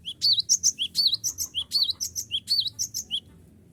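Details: Cinereous tit calling rivals to make them sing along, used as a lure: a steady stream of around fifteen sharp, high, twittering notes lasting about three seconds before stopping.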